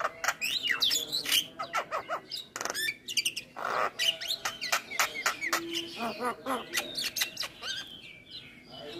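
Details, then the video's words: Full isian song of a Javan myna (jalak kebo): a busy jumble of clicks, squeaky whistles and rasping notes, quick and irregular throughout, with one short low tone midway. "Suara Jalak kebo Full isian"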